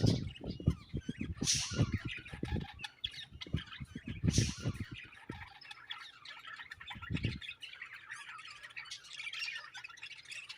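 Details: Budgies chirping in a busy, overlapping warble of high squawks and tweets, broken by loud low thumps and knocking in the first seven seconds.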